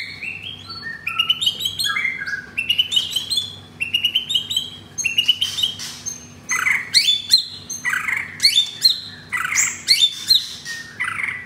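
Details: Jakarta, Indonesia: a captive-bred F4 blorok White-rumped shama with a rough 'materi kasar' repertoire. Clipped whistled phrases repeat at first, then louder harsh, scratchy bursts follow in evenly spaced pulses.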